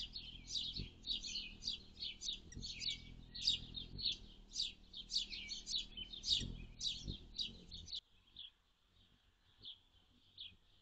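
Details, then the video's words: Dense bursts of sharp, high chips from a hummingbird, June 7, 2022, with the day's temperature between 51F and 76F. The chips repeat nearly twice a second for about eight seconds, then fade to soft, sparse ticks. "Hummingbirds - June 7, 2022"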